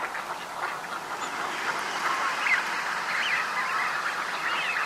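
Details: A dense flock of Eurasian wigeon (Anas penelope) at Uitkerkse Polder, Belgium, in January: overlapping calls and clear whistled notes that rise and fall, merging into a steady, busy chorus.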